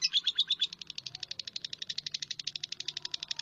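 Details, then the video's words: Brief burst of lovebird chirping, a few slurred high notes at first, then a quick, slightly uneven series of sharp repeated chirps over a faint low hum. "SUARA BURUNG LOVEBIRD"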